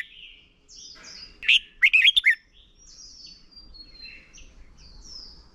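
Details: Red-whiskered bulbul decoy in singing contest, used for training: a single short, loud phrase of four to five quick chirpy warbles in the middle, surrounded by thin, high drawn-out whistles from other birds.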